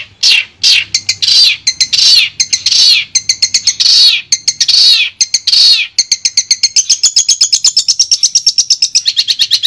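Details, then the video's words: Long-tailed shrike song played as sound therapy for a caged bird that has stopped singing: harsh, loud downslurred notes in a fast series, then a long run of rapid chattering clicks repeated many times per second. "Terapi Suara Untuk Cendet Macet"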